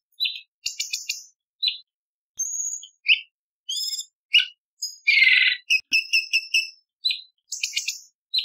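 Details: Varied bulbul song for training contest birds: mixed trills, pure whistles and harsh rasping bursts, followed by a run of repeated bright double notes, recorded with no background noise.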